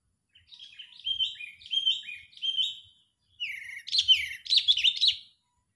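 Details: Sooty-headed bulbul used as a trapping lure, sounding agitated: a series of four slurred whistled notes, then after a short pause a louder, quicker jumble of bubbly chattering whistles.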